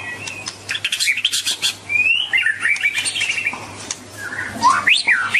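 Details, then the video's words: White-rumped shama singing a varied mix of sharp clicks, buzzy chatter and rising then falling slurred whistles, over a faint steady low hum. "Kicauan Merdu Burung Murai Batu"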